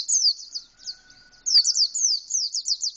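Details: Canary-style song of an Indonesian white-eye in full open-beaked delivery, a nearly continuous stream of high, sharp downslurred notes and fast trills that rise in intensity toward the end, with a quiet background.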